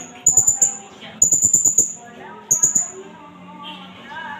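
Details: Blue-crowned hanging parrot (serindit), a native Indonesian bird, calling as a lure and song tutor: bursts of very high, thin, rapid trilled notes, three series, over a mosque loudspeaker with speech and music.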